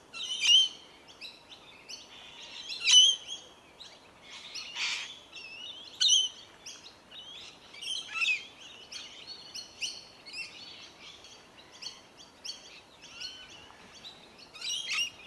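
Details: Rainbow lorikeets in Melbourne, Victoria, feeding on tree violet berries in January: scattered shrill screeches and harsh chirps, several loud squealing bursts spaced a few seconds apart over quieter background chatter.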